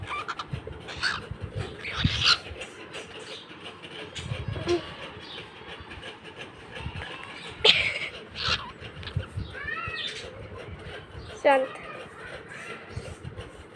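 A pet cockatiel gives short, arching squawks and chattering notes among household clatter.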